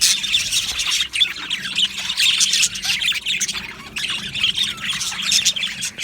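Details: Aviary budgie colony giving busy overlapping chatter: rapid high chirps and squeaky warbles in surging bursts, with a faint low hum underneath.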